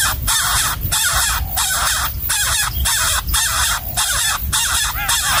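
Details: Starving nestling in a wild nest receiving a gecko from its parent, calling with loud, grating, noisy rasps repeated rapidly and irregularly, nearly two each second, over faint low rumble.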